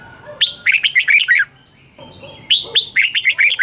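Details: Morning song of a Red-whiskered bulbul in the 'double twist' voice style, recorded 2020 as lure song for training: two loud rapid runs of clear, slurred whistled notes separated by a short quiet gap.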